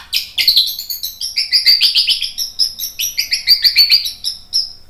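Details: White-rumped shama song used as training and lure material: dense run of high, rapid chirps and trilled phrases, one burst every second or two, with no pause and no other sounds.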